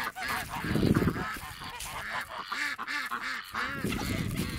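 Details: Farm Emden geese in winter, acting as protective yard guards and attacking. A run of raspy, wavering honks, repeated quickly and unevenly, with a deeper chorus of geese honking underneath and faint human voice.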